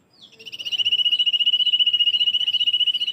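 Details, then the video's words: Common iora song: a steady, even trill of rapid high pulses, about ten per second, building from a soft start to a sustained loud buzz over three seconds, with quiet background. "SUARA INDAH BURUNG Cipoh kacat (Aegithina tiphia)"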